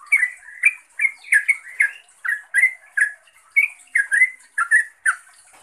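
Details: Calling to a rival or companion, a yellow-vented bulbul utters harsher, squawky chirps in small groups, moderately loud, spaced by short pauses.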